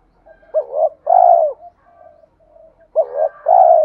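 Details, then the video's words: Male and female spotted doves calling to incite cooing during training. Two phrases, each a fast wavering double note and then a sustained, downward-curving coo, with a soft trailing note and faint murmurs in between. "tieng thuc gay goi kich la gáy/ chim cu gáy thúc rút bổi nghe rất xiêng gáy"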